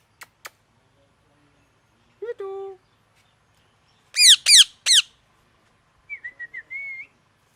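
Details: Parrot calling: two sharp clicks, a short nasal drawn-out note, then three loud harsh squawks about a quarter second apart, ending with soft warbled whistled chirps.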